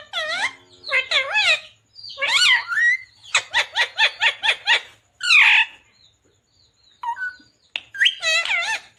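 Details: Green Indian ringneck parakeet talking: bursts of harmonic, speech-like phrases with bending, wavering pitch, a quick run of short clipped syllables in the middle, then brief pauses before more warbled words.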